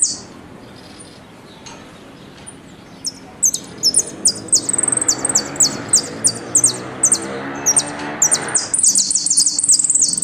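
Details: Argentine goldfinch (jilguero) singing the "El Meryl" style with golpe and pitadas: after quiet hiss, sharp high downslurred notes repeat irregularly, then a dense burst of rapid high twittering at the end.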